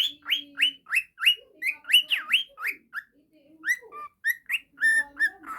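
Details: Falk budgerigar kept as a pet that plays with a child and whistles continually; a brisk series of bright, falling whistled notes, then sparser chirps with a faint low hum underneath.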